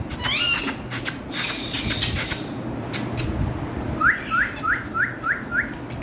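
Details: Green parrots squawk in loud harmonic bursts at the start, then give a quick series of six short rising calls near the end, against constant low rumbling background noise.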